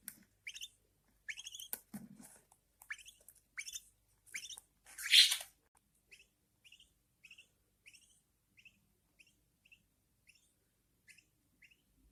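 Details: Newborn budgerigars fed by their mother indoors; a run of scratchy chirps builds to one loud rasping cry, then fades to faint, evenly spaced tiny peeps.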